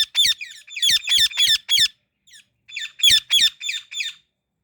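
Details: Indian ringneck parrot calling indoors, apparently in a small room: harsh, squeaky screeches in two bursts, about five rapid calls, a pause of nearly a second, then four more, each call sharp and high with a metallic, rasping edge.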